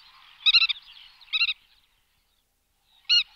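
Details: Black-tailed godwit giving short bursts of quick, reedy, nasal notes: a stuttering group, a shorter pair, then one clipped note after a pause.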